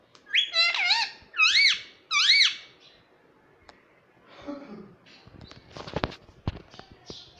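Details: Pet rose-ringed parakeet, kept indoors, talking and said to say "mummy papa": three loud, arched, harmonic squawky phrases in quick succession, followed by faint rustling and clicking in a small room.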